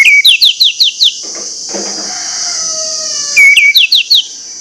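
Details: Orange-headed thrush in loud, persistent lure song that prompts other birds of its kind to sing: quick strings of bright upward-slurred whistles, a pause, then another rapid run, with a constant high-pitched hiss behind.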